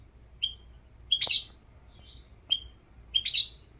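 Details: European goldfinch uttering a thin whistled note followed by a quick tinkling twitter, repeated twice in a short sequence.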